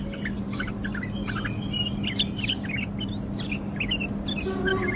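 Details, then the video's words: Tame male bulbul in Baghdad, Iraq, singing while flicking its wings in display: a dense run of short, bright whistled chirps and slurred notes that overlap one another, over a steady low electrical hum. "تغريد بلبل اليف طك جناح برواز"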